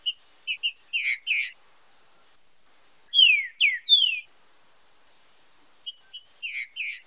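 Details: Green-winged saltator singing loud, clear whistled phrases for song training: a quick run of sharp notes, then three slurred falling whistles, then the opening notes again. No other sounds.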